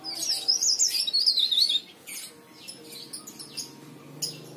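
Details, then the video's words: Lure song of a leaf warbler for making other leaf warblers sing: an excited, high, zigzagging twitter for about two seconds, then scattered faint chirps. "burung cikrak daun gacor istimewa"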